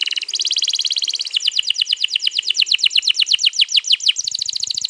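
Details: Canary in 'gacor ngerol panjang' song, a long roll used to draw other canaries into song, 21 April 2022: a brisk even trill giving way to rhythmic pulsed notes around five per second, then another rapid trill.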